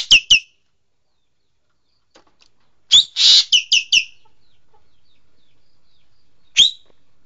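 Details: Green magpie, locally called engkek keling: two sharp clipped whistles, a pause, then a run of whistled chirps around a rasping buzz, and one last lone whistle.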